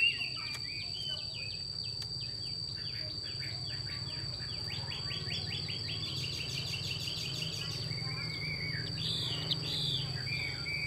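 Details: Female Chinese hwamei giving its xùy call: a rapid run of harsh, raspy downward strokes, with a denser buzzy burst midway. A steady high-pitched whine and a low hum run underneath throughout.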